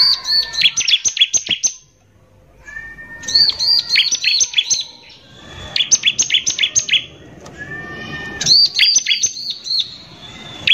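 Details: Lure song of a bar-winged prinia in full voice, 'nembak kasar' style for provoking other prinias: bursts of sharp high chirps about a second long, repeated several times with brief quiet gaps and a faint thin whistle.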